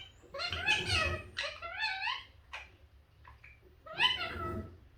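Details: Pet green-yellow mutation Indian ringneck parakeet, described as very talkative, vocalizing indoors: harmonic, speech-like phrases with rising and falling inflections in three bursts separated by short pauses, over a low background hum.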